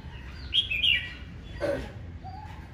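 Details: Fierce challenge singing by a red-whiskered bulbul in the morning, meant to excite males: a fast liquid warbled phrase, a harsh burst, then a lower drawn-out rising whistle from another bird.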